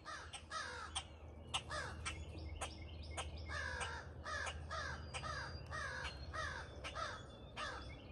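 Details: Crows, a pair being fed outdoors in the morning and calling constantly: a long run of around a dozen harsh, descending caws, some overlapping, over a steady low hum.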